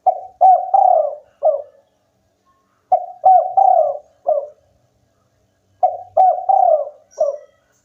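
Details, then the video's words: Local spotted dove singing in full voice, three phrases of mellow cooing, each a quick pair of short coos, a long drawn falling coo, and a final short coo, repeating about every three seconds. "tekukur lokal gacor bikin lawan ikutan bunyi"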